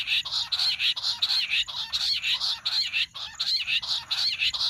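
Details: Jungle bush quail calling, recorded for hunting: a steady, loud chorus of rapid, high, chattering notes pulsing in short bursts about every half second throughout.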